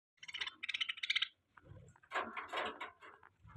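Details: Budgies chirping while mating: bright warbled chirps tumble rapidly for about a second, then a rougher, broader burst of chatter follows with a faint low rumble underneath.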